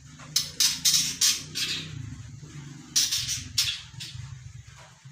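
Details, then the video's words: Young white-rumped shama, three months old, practising song: rapid run of harsh high notes, a pause, then another burst, over a steady low hum. "Kicauan murai batu Sri Rama(umr 3bln) yang lagi dokor"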